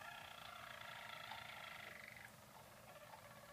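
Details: Team of four six-month-old Harzer Roller canaries singing during training for song competition; a soft, continuous rapid roll, pulsing about four times per second, fading after two seconds into quieter rolling.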